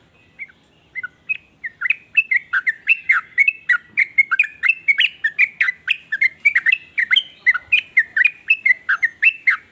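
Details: Sooty-headed bulbul singing a varied series of notes meant to make other bulbuls join in. Rapid bubbly, liquid whistled notes dip and rise in quick succession, growing louder and denser, nearly continuous for about ten seconds.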